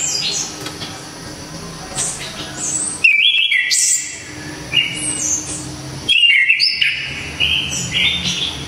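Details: Orange-headed thrush in loud, sharp, clear song used to train other songbirds; repeated varied bursts of whistled warbling with high thin squeaks, three main outbursts separated by brief pauses across the recording.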